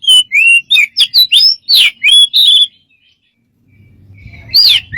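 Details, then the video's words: Bird giving quick strange chirps and whistled slurs in a rapid run, then a silence, a faint low rumble, and a final pair of loud falling notes. "smart bird have lost of strange sounds"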